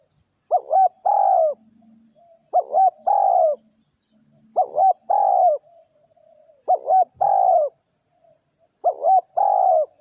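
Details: Spotted dove used as a decoy, calling to coax wild doves down: five phrases about every two seconds, each two short hooting notes and then a longer, falling, throaty coo, over a quiet background.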